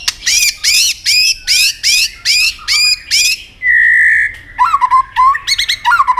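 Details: Competitive song of a white-rumped shama with many voices: eight loud, rich notes that fall in a regular series, then one long, level whistle, then quick jerky chirps and twisting phrases.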